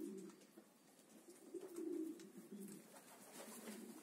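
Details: Pomeranian pouter pigeons cooing indoors: low, droning coos that swell and fade in overlapping phrases over four seconds, quiet against a faint hissing room background.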